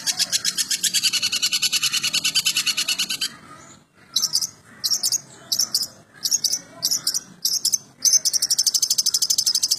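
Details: Long-tailed shrike's 'materi jadul' song: a rapid stream of high, rasping pulses stops and gives way to short separate bursts of chattering notes. Then the fast continuous pulsing returns.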